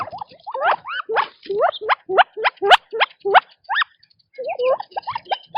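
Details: Quail feeding in their natural habitat give a quick run of clear upslurred chirps, about ten bright rising notes in the first four seconds, a short pause, then softer, lower chirps resume.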